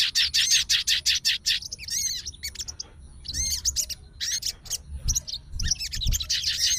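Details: Sooty-headed bulbul, a caged fighter bird, responds at once to a rival's singing and calls out a challenge. Fast rattling runs of high chirps open, followed by uneven clusters of sharp whistled and buzzy notes.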